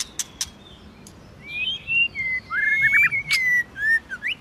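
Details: A white-rumped shama sings in competition style with many voices: a few sharp clicks at first, then long, smooth whistled glides and quick warbling twists, ending in a rising whistle.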